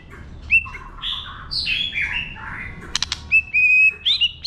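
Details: Wild-type White-rumped shama song, used to stimulate birds, with warbled descending phrases followed by clicks and loud steady whistled notes near the end.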